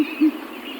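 An owl gives two brief, low, hollow hoots in quick succession, the second slightly longer, with faint background hiss.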